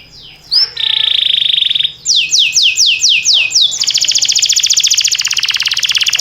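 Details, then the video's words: Canary singing for training captive canaries, timbrado style: after a faint start, a flat trill, a series of descending sweeps, then a long rapid buzzy roll, with low background hum. "Cantar canário faz seu canário cantar"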